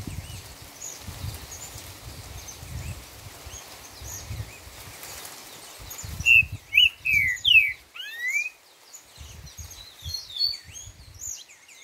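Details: Green-winged saltator singing the four-note 'boi' song style: a short burst of loud, slurred whistled notes that rise and fall, coming after several seconds of low rumbling background noise, with fainter high chips afterward.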